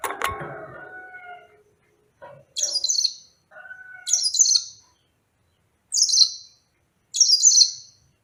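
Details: Yellow-fronted canary song in brief high, sweeping phrases repeated about every one to one and a half seconds, preceded by a lower, harsher mixed chatter and a few soft mid-pitched whistles.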